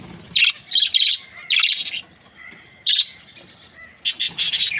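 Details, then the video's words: Happy breeding pair of Australian budgies giving quick clusters of shrill, scratchy chirps separated by short pauses, with a busier burst of chatter toward the end. "Happy budgie chirping sounds"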